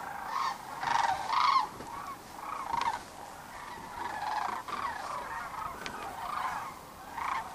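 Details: Sandhill cranes returning to roost on the Platte River near Kearney, Nebraska, on the evening of March 27, 2009; a large flock gives overlapping rolling, trumpeting calls, loud bursts near the start then a steady chorus of bugling voices.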